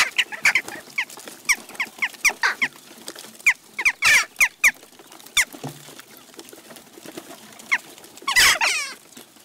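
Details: Garden feeder in Recke, Germany, on June 29, 2021, visited by a jackdaw flock: a quick series of short, sharp squeaky chack notes, followed near the end by a louder, harsh chattering burst.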